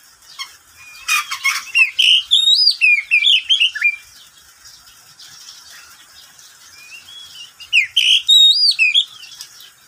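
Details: Pet oriental magpie-robin in a cage at midday: a brief rattling flutter, then a long run of varied whistles and slurs, a quiet pause, and another bright burst of song.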